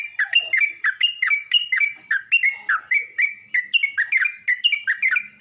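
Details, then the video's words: Yellow-vented bulbul calling to fellow bulbuls, giving a steady, energetic string of short warbled chirps, each note quickly sliding in pitch, without a break. "Burung trucuk ini pandai memangil burung trucuk lain"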